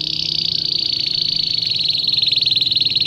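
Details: Training song of a domestic canary for young birds: one continuous high, rapid rolling trill, very even in pitch, its pulses growing slightly louder and more distinct toward the end.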